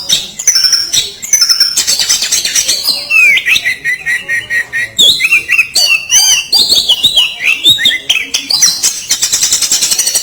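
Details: Oriental magpie-robin singing a loud, rough "kasaran" training song: rapid chattering, buzzy trills and sharp high whistles run together continuously, with harsh scratchy notes and repeated squeaky phrases.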